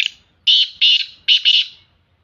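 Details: Female black francolin calling in the morning, described as in a happy mood: a short series of four harsh, buzzy, grating notes, the last two run closely together.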